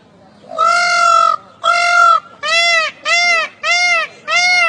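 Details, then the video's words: Indian peafowl calling: six loud, nasal, trumpeting cries. The first two are long and drawn out, and the last four are shorter and evenly spaced. "मोर राष्ट्रीय पक्षी peacoke calls"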